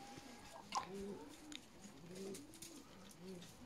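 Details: Low, mellow, arched notes from juvenile peahens, young female Indian peafowl, in a short run of three or four soft calls with faint background hiss and a brief click.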